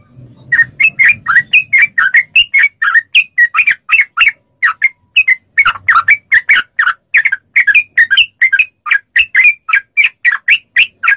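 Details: Yellow-vented bulbul song for training captive birds to answer: a long, steady stream of bright, bubbly notes, about three per second, with a brief low rumble at the start.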